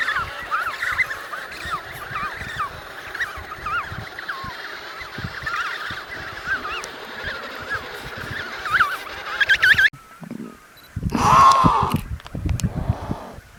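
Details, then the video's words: A crowded Antarctic colony of adult emperor penguins, calling to be heard over the noise and wind; a steady chorus of warbling calls breaks off, then a single loud quavering call rings out after a brief quiet. "Various Moments of Penguins Making Sounds"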